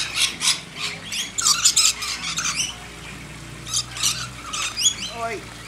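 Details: Lorikeets being hand-fed in a backyard, several shrill squawks and quick rising notes in clustered bursts, ending with a lower, falling call, over a faint background hum.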